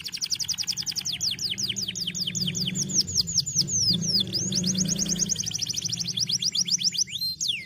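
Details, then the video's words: White canaries singing on dry stalks deliver an unbroken, rapid trill of sharply downswept notes, several per second, over a low background hum. "Singing Canary Beautiful White Canaries"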